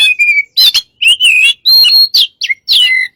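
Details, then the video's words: White-rumped shama kept caged as a lure, giving clear sustained whistles mixed with quick slurred and falling notes in a lively, nonstop phrase. "burung kacer gacor untuk pncingan"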